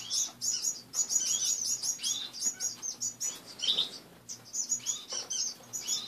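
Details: Several pet finches kept in a cage indoors, heard after waking in the morning: busy stream of high, thin chirps and short twitters, closely spaced with brief pauses, over a faint low hum.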